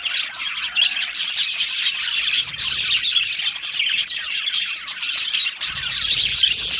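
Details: Happy budgies in an aviary twitter and warble nonstop, a thick blend of quick high chirps and rasping chatter from many birds.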